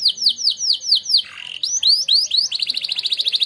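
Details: Champion contest canary with training song: a run of repeated downward-swooping whistles, a brief low slur, more swoops, then a quick even trill.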